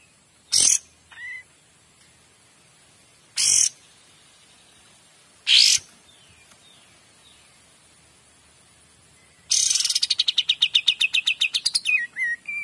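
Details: Kapas tembak in clear song: three sharp explosive bursts a couple of seconds apart, a few soft whistled slurs, then a long rapid rattling trill of evenly spaced pulses lasting about two seconds. Recorded against quiet hiss.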